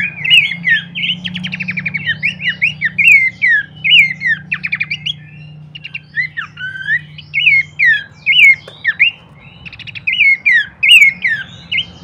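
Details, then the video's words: Babbler, locally pelanduk semak, song used as a master recording to train birds and draw a response: lively high chirping and whistled slurred notes in quick irregular bursts, with a low steady hum underneath. "pancingan dan masteran terbaik mewah khas burung pelanduk semak"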